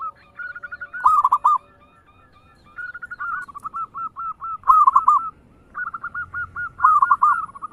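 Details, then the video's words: Fast 'ngayer engkel' song of a local zebra dove, meant as a lure to prompt other birds: soft rising lead-in notes, then loud bubbling trilled coos about every two seconds, with a quieter second voice answering in between. "Suara perkutut lokal gacor ngayer engkel cepat mengajak gacor ampuh buat pancingan"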